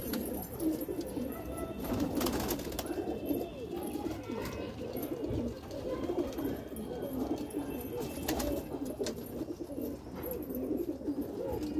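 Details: Red desi highflyer pigeons, kept birds in India: overlapping low gurgling coos rolling on continuously from several birds, with scattered clicks and rustles from the loft.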